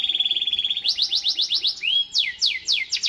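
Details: Canary song in fast repeated syllables: a steady whistled trill, then a run of quick downward-sweeping notes about four per second, a brief rising whistle, and more swept notes.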